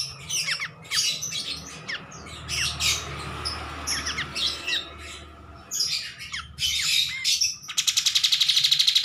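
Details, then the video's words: Bulbul song used as a master recording: scattered squeaky, chirping phrases and sharp upslurred notes in irregular bursts, ending in a fast, evenly pulsed trill. "MASTERAN KAPAS TEMBAK GACOR"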